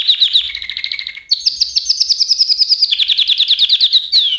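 A canary sings a bright, continuous song of rapid high trills, shifting from one rolling phrase to the next, with a faint low hum beneath.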